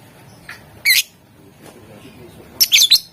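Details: Lovebird in lively 'gacor' chatter, with 'ngetik' and 'ngekek' styles named, used to provoke rival birds into answering. Two bursts of harsh, shrill, high chirps: one short squawk near the first second, then a rapid triple-pulsed burst at the end, with quiet hiss between.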